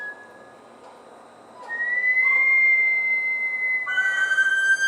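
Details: Bush stone-curlew on the Gold Coast, Australia: after a quiet start, a long, clear whistled note holds steady for about two seconds, then a second, lower whistle with bright overtones follows. No other sounds stand out.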